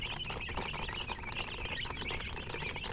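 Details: Chicks in a group giving steady high-pitched peeps, quick and overlapping, accompanied by pattering footsteps and scratching sounds.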